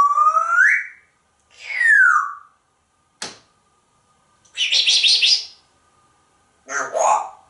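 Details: Pet African Grey Parrot, very talkative, in a room with its owner: a rising whistle, a falling whistle, a sharp click, then two buzzy, raspy squawks with pauses between.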